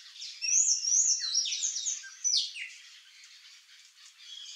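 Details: Wild, free-living curl-crested jays in Brazil give a quick run of high, squeaky notes with sharp downward slurs, several overlapping in the first half, then fading to faint chatter.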